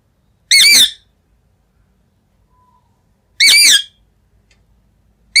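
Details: Pet green ringneck parrot in a quiet room gives two short, harsh, rasping screeches about three seconds apart, with near silence between them and the start of a third at the very end.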